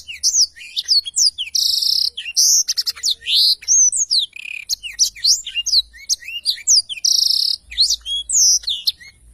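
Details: Nonstop, vigorous song of a black-throated canary used to train other songbirds: dense high twittering, sliding whistles and two harsh buzzy bursts woven through a long varied phrase.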